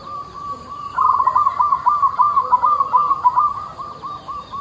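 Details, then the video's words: Active local zebra dove with an unusual voice giving a long run of rapid, bubbling, pulsed coos at an even low pitch, lasting over three seconds with slight rises and falls in loudness, against soft steady hiss. "PERKUTUT LOKAL GACOR SUARA ANTIK"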